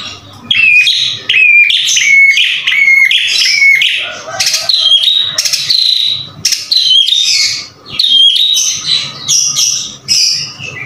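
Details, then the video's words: Vigorous song of a white-rumped shama (murai batu): repeated short downslurred whistles mixed with harsh, buzzy notes and rapid high flourishes, phrases separated by brief gaps. "MASTERAN MURAI BATU GACOR SUPER JITU"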